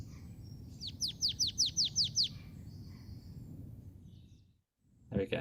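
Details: Marsh tit (Poecile palustris) song, rather finch-like and often repeated for long periods: a quick run of seven sharp, high, down-slurred chips, about five a second, over a low hum, with a brief noisy burst at the end.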